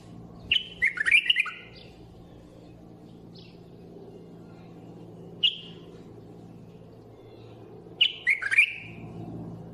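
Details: A bulbul repeats a warbled phrase of several quick whistled notes twice, about seven seconds apart. A lone short whistle falls between them, over steady low background hum.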